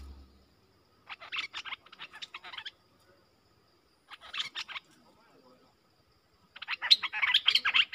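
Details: Streak-eared bulbuls, a pair dueling in song, October 2021: three bursts of scratchy, chattering notes separated by pauses, the last burst loudest and most jumbled.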